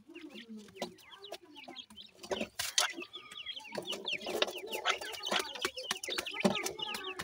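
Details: Francolin chicks at feeding time, a dense series of sharp, high, falling cheeps from several birds, with a low soft call early on and frequent clattering pecks.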